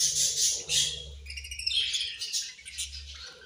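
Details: Several caged budgerigars chirping while eating, bursts of harsh, scratchy high chatter with short squeaky notes, loud for the first second then busier and overlapping, with faint low thumps in the background.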